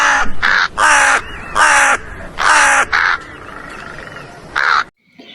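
A crow gives about six harsh, hoarse caws in five seconds, each roughly half a second long, with a faint steady hum behind.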